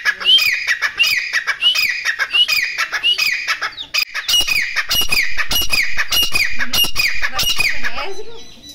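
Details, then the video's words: Titar, or grey partridge, calling for hunting: a fast run of rising whistled notes with scratchy chatter, then a denser stretch of loud clicking rattles, fading into rustling noise at the end. "Shekare Titar ki Shekar ki awaz"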